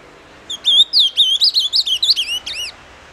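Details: Ultramarine grosbeak delivering a "doce amargo" song: a rapid run of sweet, slurred whistles that swoop up and down, roughly twelve notes in two seconds, closing with two looping whistled notes; no other sounds.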